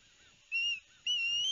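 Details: Noisy young ospreys on a nest cam at Barnegat Light, New Jersey, 13 September 2021, during fish deliveries from their father; two drawn-out, high, thin whistles, the second longer with a wavering upward inflection.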